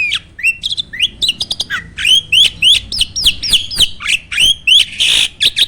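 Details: Caged starling sings its loud, filled contest song of forceful, shot-like notes: repeated steeply falling and rising whistles, several per second, with harsh squawking bursts mixed in.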